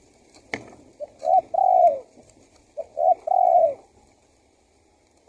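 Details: Spotted dove lure call for drawing in wild doves: two phrases, each of a short note, a brief coo and a long falling coo, after a sharp knock.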